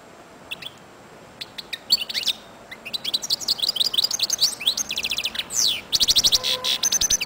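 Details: Royal goldfinch singing: sparse high chirps at first, then a fast, dense run of tinkling, twittering notes and short buzzy trills, rapid rising and falling sweeps, and repeated clipped notes quickening toward the end.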